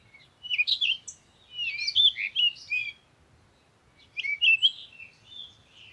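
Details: Bird song in a natural setting: quick, high twittering and chirping phrases in two bursts separated by a short pause, over a faint low rumble.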